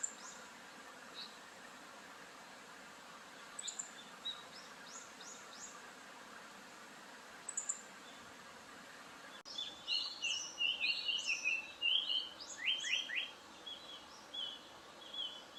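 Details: Japanese paradise flycatcher calling in Japan: faint scattered high notes at first, then after a sudden change a loud run of short, falling, whistled notes repeated in quick bursts, mixed with other high chirps over steady background hiss.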